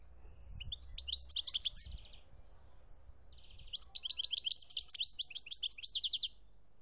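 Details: European goldfinch in Algeria, 2017, singing two lively phrases of high tinkling notes mixed with rapid buzzy trills, the second longer and more sustained; soft low rumble underneath.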